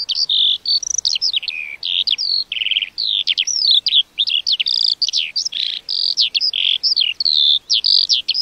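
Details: A lark pours out rich, high, warbling song, with rapid chirps, sweeping whistles and buzzy notes tumbling together continuously against a quiet background.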